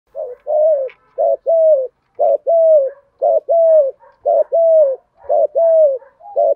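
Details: Spotted dove giving thúc gù cooing in the giọng thổ voice style: steady run of short, mellow two-part coos, each a brief note then a longer level hoot, repeated about once a second with no other sounds.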